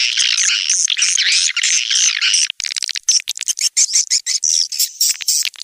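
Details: Outdoor lure sound for swiftlet houses, SP Anak Gembala from Indonesia, used around Sóc Trăng and Đắk Nông: a steady run of shrill twittered chirps, then rapid clicking pulses mixed with short high chirps.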